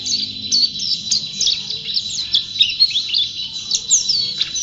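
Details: Pleci white-eye, a champion singer in full voice, gives a lively high-pitched song of quick chirps and downward-slurred whistles, packed tightly together and pulsing in short loud bursts.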